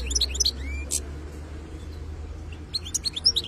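European goldfinch song in quick bursts of bright, tinkling twitters and short buzzy notes, with a pause in the middle and a low hum underneath.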